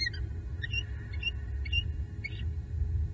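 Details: A female bald eagle at a southwest Florida nest tree, night to early morning, 9 November 2021, gives thin, high chirping notes in short bursts about every half second. The male answers faintly, over a steady low rumble.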